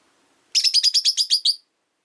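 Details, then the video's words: Pet rosy-faced lovebird, calm afternoon: a rapid rattling string of about nine buzzy high chirps delivered evenly within one second, then silence. "Lovebird Chirping Sounds"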